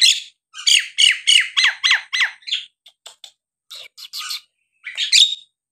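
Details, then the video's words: Nias hill myna singing to goad silent birds into song: a burst of harsh, squawky, rasping notes repeated about twice a second, trailing into softer scattered clicks and a last loud screechy note. "jalak nias gacor!! buat terapi jalak nias bahan atau yg malas bunyi agar gacor kembali"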